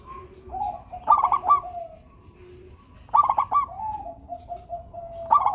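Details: Local zebra dove singing to coax idle doves into song: two loud trilled coo bursts about two seconds apart, each trailing into a softer drawn-out hum, with faint low background noise.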